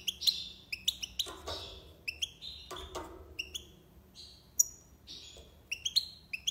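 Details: Goldfinch song of the tiwawati style: rapid high chirps and short twittering phrases broken by brief rustling noises, with a quiet background hum.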